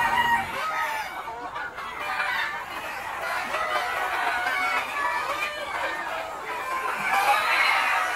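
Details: Free-range flock of Noi fighting-type, bantam and crossbred chickens in a wide yard by day: dense overlapping clucks and chatter from many birds, steady and continuous, with brief higher squawks rising above the murmur.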